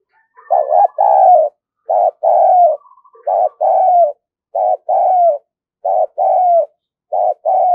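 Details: Decoy spotted dove calling vigorously to lure others: steady series of loud, mellow, hollow coos, each a short note followed by a longer falling one, repeated about every second and a half.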